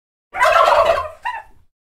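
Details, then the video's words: A turkey gives one rapid, throaty gobble, a rattling burble of about three-quarters of a second, followed by a brief gulping tail note. "Turkey Gobble Sound"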